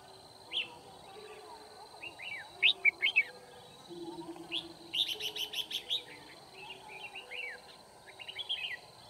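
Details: During a trapping session at Kim Bôi, Hòa Bình, Vietnam, on 9 February 2019, a decoy red-whiskered bulbul sings to provoke wild birds. Its lively slurred chirping phrases come in clusters, with a rapid high-pitched trill partway through and faint rural background noise.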